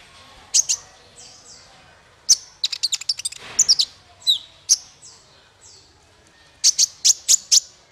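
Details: Male Ruby-cheeked Sunbird (konin), used as a tutor song for other birds: isolated sharp high chirps and thin downslurred whistles, a brief burst of rapid ticks mid-way, closing with a fast series of piercing squeaks.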